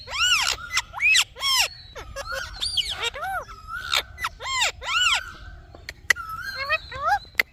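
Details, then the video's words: Indian ringneck parakeet talking with repeated arched, speech-like syllables rising then falling in pitch, delivered in bursts with short pauses, plus scattered clicks and squeaks. "Indian Ringneck Parrot Talking Video"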